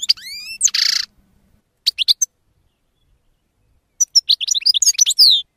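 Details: Goldfinch singing in short bursts: rising whistled slurs and a buzzy rasp, a silent gap, a few clipped chirps, then a quick jangling run of twittered notes.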